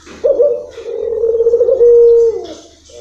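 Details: Single long coo from a local puter dove in long rhythm: an abrupt start, then a low burring tone that smooths into a clear held note before sliding down and fading.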